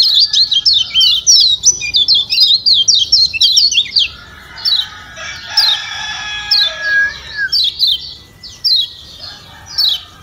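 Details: Lemon-bellied white-eye of Lombok chattering quickly in high chirps, then slowing to spaced single notes over a hazy band of other sound; meant to rouse quiet birds into singing.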